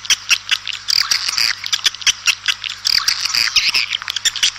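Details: Swiftlets calling outside to the flock, a dense, continuous chatter of high twitters and squeaks broken by sharp clicks, over a steady low hum.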